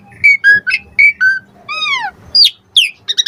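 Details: Jalak suren (Asian pied starling) lure song to prompt other starlings to reply: paired clear whistles, a long arching slurred note dropping in pitch, then sharp high chirps and a few rapid clicks at the end.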